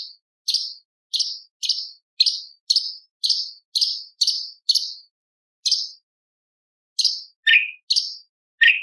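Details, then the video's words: Light-vented bulbul tembakan with lovebird, parakeet, ciblek and pancawarna imitations: a fast even series of identical high sharp chirps, nearly two per second, then a pause and a few chirps mixed with lower swooping whistles. "CUCAK CUNGKOK ISTIMEWA - TEMBAKAN ISTIMEWA ISIAN LOVBIRD PARKIT CIBLEK PANCAWARNA"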